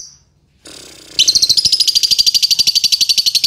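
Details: A contest-winning latah lovebird breaks a brief quiet with a low murmur, then a loud, fast string of piercing high chirps held over a thin steady whistle, repeated rapidly without pause.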